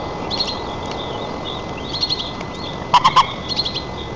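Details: Nest-camera recording from a White-tailed eagle nest in Tatarstan's Nizhnyaya Kama National Park on 4 May 2024 at chick feeding: a sudden trio of strong yelping notes, with faint small-bird chirps in the background.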